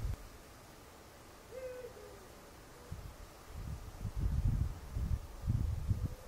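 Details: Eurasian eagle-owl, filmed with a Fujifilm X-T4 camera: a single faint, mellow two-part hoot, steady then dropping slightly, heard once amid gusty low wind rumble.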